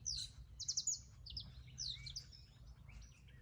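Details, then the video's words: Canary singing a quick run of bright, buzzy trilled phrases that sweep slightly downward, bursts coming in close succession over a steady low rumble of background noise. "Hermoso canario"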